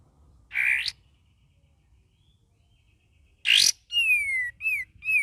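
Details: Young sooty-headed bulbul learning to sing: a buzzy rising note, silence, then a harsh burst followed by a falling clear whistle and two short arched whistles in quick succession.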